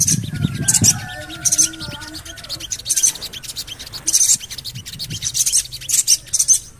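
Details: Javan cochoa calls played to stimulate birds into song: hissy, high chirp bursts at irregular intervals, with a low rumble and long level whistles from other birds near the start.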